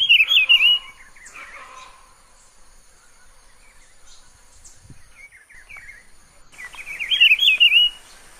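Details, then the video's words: Song of a wild Rufous-browed Peppershrike in Pernambuco, Brazil, a camouflaged bird said to sing all day: two loud warbled, looping whistled phrases about six seconds apart, with softer scattered notes between them. "PITIGUARI (Cyclarhis gujanensis) E O SEU BELO CANTO NA NATUREZA"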